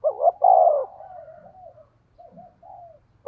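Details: 'Thổ'-voiced decoy spotted dove in 'thúc gù' cooing: a doubled note then a long, loud falling coo, trailing into soft low murmurs, faint low background rumble, and the start of another phrase.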